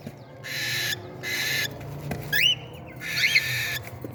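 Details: Feeding-time cockatiel chicks alternate rough hissing bursts with quick shrill upswept squeaks, one clear and rising in the middle, another wavering near the end, over a low steady hum.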